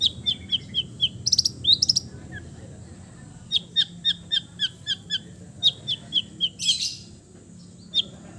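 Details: East Java long-tailed shrike singing at ease, used to coax silent birds: evenly paced high, sharp chip notes in loose series, broken by a few short rasping bursts, over a constant low background hum.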